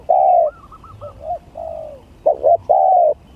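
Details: Spotted dove contest song, gagap, tindan or klantan style: a long smooth coo, a run of soft quick bubbling notes and a drawn-out falling coo, then two clipped notes and a final sustained coo.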